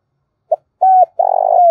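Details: Decoy spotted dove cooing to entice other doves: a brief note, a smooth held coo, then a long coarse, pulsing coo ending in a downward slide. No other sounds.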